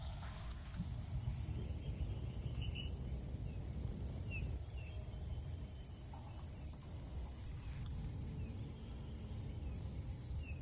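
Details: Free-living goldcrest repeating tiny, very high, thin notes with little downward flicks in rapid even series, quiet at first and growing louder toward the end, over low background noise.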